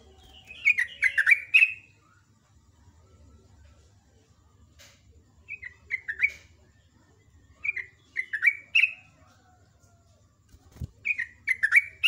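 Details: Sooty-headed bulbul (trucuk) in energetic morning song, ropel ngecruk style: short clusters of three to five bubbly, falling chirps recur every few seconds across the recording, with a faint low hum and one brief thump.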